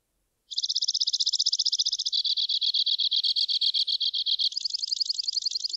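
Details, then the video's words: Two-barred crossbill trilling continuously: a fast high trill, then a slower, lower series of even pulses, then a quick higher trill, with a quiet background. "Two Barred Crossbill Bird Song, Call, Chirp, Voice"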